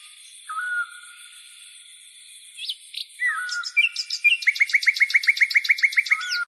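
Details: Birds singing at sunrise against a constant high ringing background: scattered whistles and slurs building into a quick, regular run of short descending chirps.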